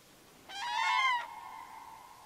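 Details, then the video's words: Common cranes trumpeting in a forest river valley, pairs answering one another before meeting and calling together; a single strong, rattling trumpet blast of about three-quarters of a second, followed by a faint held tone. "Koncert żurawi"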